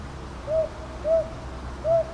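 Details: Three soft, low hoots of a northern boobook at Ichijoji, Sakyo Ward, Kyoto, Japan, 22 May 2023, TASCAM DR-100MKIII; first two close together, third after a longer pause, against quiet background noise.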